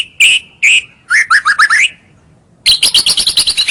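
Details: White-rumped shama song used as a lure to draw rivals closer: two clear whistled notes near the start, then a quick run of rising phrases, a pause, and a fast series of sharp repeated high notes.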